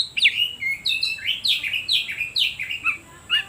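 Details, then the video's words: Oriental magpie-robin lure song, played to provoke other birds and prompt reluctant birds to sing: a rapid string of varied whistled phrases, slurred notes rising and falling, delivered about twice per second with short gaps. "Suara Pancingan Kacer Paling Ampuh || Bikin Burung lain Makin emosi"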